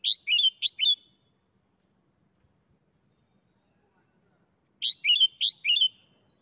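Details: Red-whiskered bulbul in a cage performing its doubled 'bler' song style: two quick twin bursts of clear, warbling whistles, each phrase a bright attack sliding into a wavering lower note, separated by nearly four quiet seconds.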